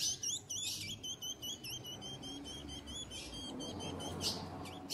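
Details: Female ultramarine grosbeak soliciting mating, eager and ready to mate. A rapid run of short, sharp, high chips repeats steadily through the first part, then a few louder scattered chips follow over a low background hum.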